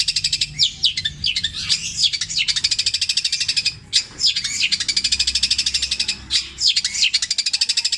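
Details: Java cendet, a long-tailed shrike, pours out repeated mimicry of tengkek buto, kuntilanak and sparrow in petir style: a dense, fast rattling trill broken by brief harsh downslurred notes, continuous for eight seconds.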